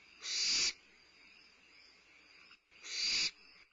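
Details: At midnight on 22 May 2011, a limping barn owlet at Starr Ranch feeds on a meal; two loud, rasping hiss-screeches, each about half a second long, come roughly 2.5 seconds apart against a faint steady hum.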